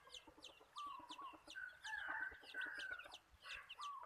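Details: Decoy rooster kept for bird catching, crowing at a distance, a drawn-out raspy note. Many small birds chirp busily and repeatedly over it throughout.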